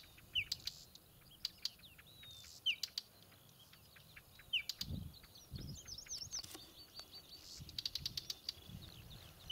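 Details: Whinchat on Exmoor giving brief descending whistles and crisp ticks several times, while other small birds sing twittering phrases in the background and low rumbling noise comes and goes.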